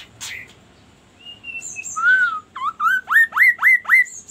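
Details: Magpie-robin singing: a few thin high whistles and a bright down-curving note, then a run of five loud rising upswept whistles in quick succession, roughly three per second, over a quiet background.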